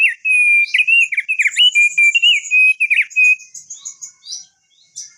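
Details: Crested darkeye, long rolling song meant to lure others into singing: rapid, unbroken whistled warbling with sliding notes, fading into thin high twitters.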